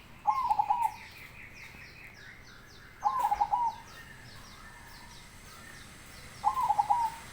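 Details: Zebra dove described as a big-voiced baron repeating its rolling song three times, roughly every three seconds: a rising opening coo and a quick run of staccato notes, faint chirps behind.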